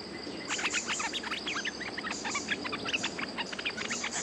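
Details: Bulbul on its home ground reacting to a lure bird: dense chattering run of quick chirps and warbled notes, nearly continuous for several seconds, under a constant high insect buzz and background hum.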